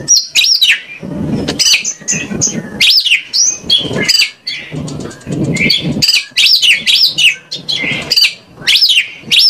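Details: Oriental magpie-robin (kacer) song, used as a lure to get other magpie-robins singing and answering: a dense, loud run of varied whistled phrases with sharp rising and falling sweeps and chattering notes, almost unbroken, over low rustling.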